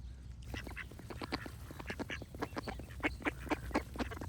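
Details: Ducks breaking into quacking after a quiet start, raspy calls building into a steady rhythmic series of strong quacks near the end, over low background noise.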